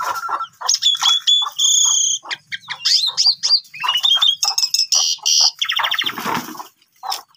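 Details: Asian pied starling song to provoke silent starlings: a busy stream of buzzy rasps, chattering notes and whistled slurs, tapering off near the end.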